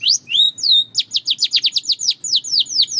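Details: Song of a Belgian canary, starting with two slurred whistles rising then falling, followed by a rapid, even series of sharp descending chirps, bright and high, against quiet background hiss.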